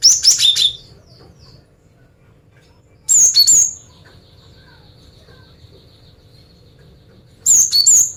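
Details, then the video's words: Female cinereous tit singing to lure males: three bursts of high, sharp descending whistles several seconds apart, with a faint fluttery series of soft notes between the first and second bursts. "Suara Gelatik Batu Betina Gacor Mancingan Jantan"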